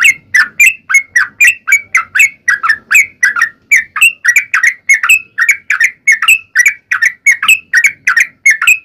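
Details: Yellow-vented bulbul singing vigorously in fighting style with long rapid phrases, a lure to provoke other bulbuls to sing back; steady stream of quick, slurred whistled notes, about three per second, without break.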